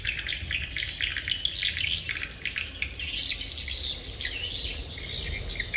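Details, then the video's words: Many birds chattering at dusk: bright, high-pitched chirps and short squeaky twitters overlapping without pause, growing denser in the second half, above a soft low background rumble. "Chim chiều"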